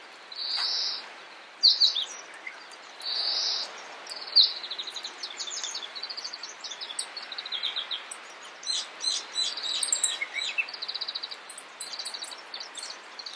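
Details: Meadow Bunting (Emberiza cioides ciopsis) in Takayama, Japan, April 2014, giving high, thin notes: two buzzy bursts early, then quick runs of sharp ticks and chips, with faint higher chirps in the background.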